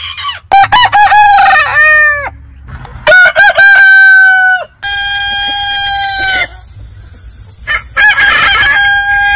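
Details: Crowing roosters from a compilation of over a hundred heritage chicken breeds: stuttering cock-a-doodle phrases with sharp rising and falling notes, then a long level held crow, another rooster answering at the end.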